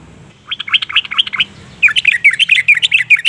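A yellow-vented bulbul sings two bursts of quick, bubbly, liquid notes with rising and falling whistles, separated by a brief pause. No other sounds stand out.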